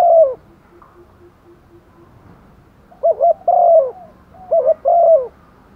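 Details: Female Spotted Dove calling to males in the rainy season: soft, low, hollow coos grouped in short two-part phrases, a pause of a couple of seconds, then the phrase repeated, with faint background rustle.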